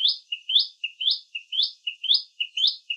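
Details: Common tailorbird from Indian gardens and bushes, chirping constantly: clear paired notes, a bright higher slur followed by a short lower note, repeated roughly every half second.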